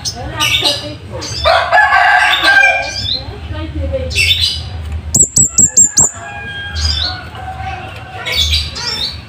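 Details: Scarlet-headed flowerpecker with a loud, sharp wild-style voice used to tutor caged birds: amid harsh squawks and chatter, a clean run of about six high, thin, evenly spaced notes.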